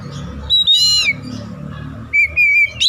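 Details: Lure singing of the Oriental magpie-robin (kacer), used to get silent birds singing: a high whistle, a buzzy rich phrase dropping in pitch, then level clear whistles after a pause.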